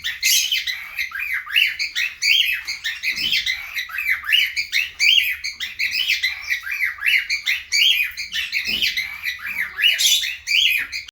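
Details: Aviary cockatiels in breeding condition, busy overlapping chirps and twittering notes repeating in quick rising and falling arcs, multiple birds, faint low hum beneath.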